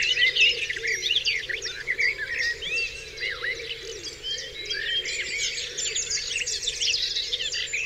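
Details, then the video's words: Many birds calling at daybreak on Dewlands Common, overlapping looping whistles and bright chirps filling the air continuously, with a low steady hum in the background. "Dawn Chorus"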